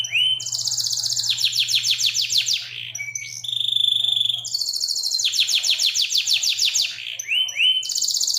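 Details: Local canary singing a long tutor song with rich 'cengkok' variations and long shots: bursts of rapid high trills broken by a brief clear whistled note, then the trilling resumes. A low hum fades partway through.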